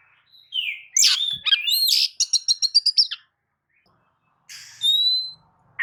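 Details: Oriental magpie-robin in full song, used to lure other birds into singing: a falling whistle, a harsh scratchy burst, a rapid rattling series of about eight notes, a pause, then a clean sustained whistle.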